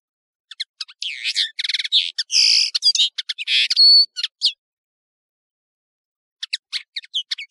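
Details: European serin (nino) singing on a high-quality tutoring recording: a four-second run of hurried, shrill, wheezy jingling notes, then a pause and a few scattered high chips.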